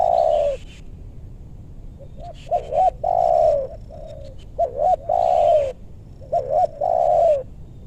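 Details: Loud spotted dove cooing during bird luring in West Bogor meranti forest, Indonesia: repeated phrases of two or three short rising hoots and a long, full, falling coo, about every two seconds, with faint clicks.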